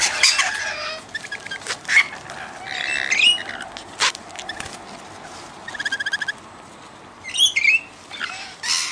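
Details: Harsh rasping screeches and quick stuttered chatter from wild rainbow lorikeets, regular visitors given raw sugar, mixed with high squeaky notes and occasional sharp knocks.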